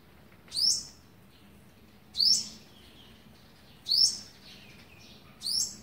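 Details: Feeding young on day 11, 27 November 2019, an olive-backed sunbird repeats a sharp high chip four times at intervals of about one and a half seconds, with weaker twittery notes between them.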